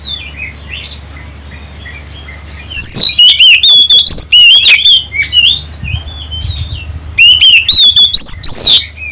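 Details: Oriental magpie-robin song played to provoke other birds to sing, starting with quiet distant warbles, then two long loud bursts of rapid, ringing, varied whistles and slurred notes, clipped and harsh at peaks, over a low hum.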